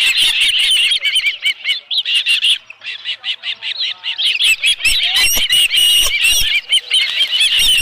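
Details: Shrill repeated chirps from an osprey at the nest with a live fish, midday 11 July 2018; bursts of high whistled notes, a quieter gap mid-clip, then renewed calling with sharp knocks.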